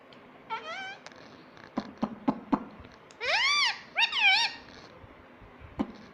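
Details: Home parrot of the ring-necked kind gives a faint short word, then two loud, rising-falling syllables close together, over steady background noise, tapping and clicks.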